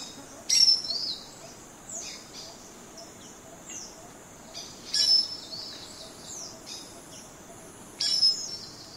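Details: Common starling singing: thin high whistles and downward-sliding slurs, punctuated roughly every three to four seconds by sharp broadband clicks, over a quiet background.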